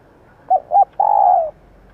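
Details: Female spotted dove, whose call is used to attract males and make decoy birds respond fast: a short coo, a second rounded coo, then a single drawn-out, gently falling coo.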